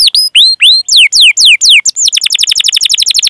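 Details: Chatty canary singing to stimulate other canaries: a series of slurred whistles, each sliding downward, followed by a quick chopping roll of short repeated notes.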